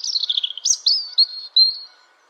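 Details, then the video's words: Song of a European robin, a clear high warble opening with rapid tinkling notes, then several separate sweeping whistled slurs, each briefly pausing before the next, ending on a sustained thin note. "European Robin · Erithacus rubecula singing"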